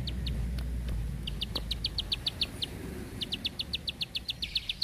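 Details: Bar-winged prinia singing a tutor song in the long, tight burst style, a dry two-toned clicking note repeated rapidly in runs of several notes, a short break between runs, over a low background hum.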